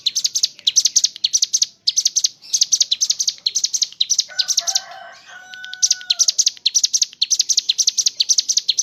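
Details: Mountain leaf warbler (ciblek gunung) in energetic gacor ngebren song with kapas tembak imitations: rapid bursts of shrill, high, stuttering chips in short phrases, briefly interrupted by a softer, lower whistled passage.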